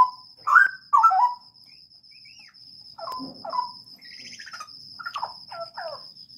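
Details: Caged straw-headed bulbul at a breeding aviary, singing bursts of mellow, bubbling warbled notes with rapid slurred phrases. Softer chirps and a faint buzzy rattle follow, all over a constant high-pitched whine.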